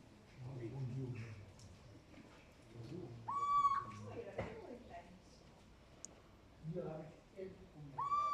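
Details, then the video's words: Little owl calling twice, several seconds apart. Each note is a sharp upward-swept mew that levels off into a short held tone, with low human voices talking in between. "#chouette #cheveche #d'athena #cri"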